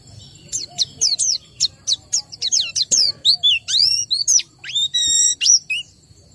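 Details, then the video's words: White-eye lacking breeding condition gives a varied string of high chirps and slurred whistles, some rising and some falling, delivered irregularly against a quiet background. "BEGINILAH BUNYI PLECI KURANG BIRAHI atau KURANG KENCENG"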